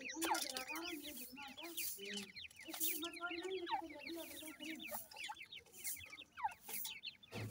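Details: A group of black francolin chicks giving a busy chorus of thin, rapid rising and falling peeps, layered over steady low clucking notes and light background rustling.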